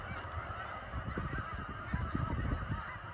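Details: Short burst of massed honking from migrating snow geese in Lancaster, Pennsylvania. Thick, unbroken clamour of nasal calls over low thumping noise.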